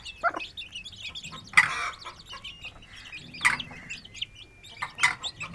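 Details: An Aseel hen with her chicks feeds and plays in an open village yard: short, rough clucks and scratchy bursts about every one and a half seconds, with thin, high chick peeps faintly between.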